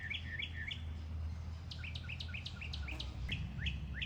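A mockingbird sings short, bright slurred notes repeated in quick sets of three to six before switching to a new phrase, over a steady low hum.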